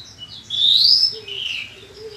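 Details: Song of a bushlark in a compilation for teaching kept birds to sing: a bright upward-sweeping whistle followed by a lower rasping phrase, with a soft low tone underneath.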